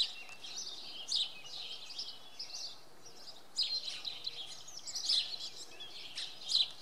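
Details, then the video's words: Common redstart singing early on a Monday morning at Oksywie: short, high, scratchy warbled phrases, each opening with a sharp note, repeated every one to two seconds over a steady background hiss. "Pleszka śpiewa w poniedziałek nad ranem"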